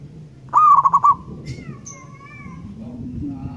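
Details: A local wild zebra dove in Indonesia gives a quick stuttering burst of five or six cooing notes, then a long, drawn-out, slightly wavering coo, over a soft low background rumble.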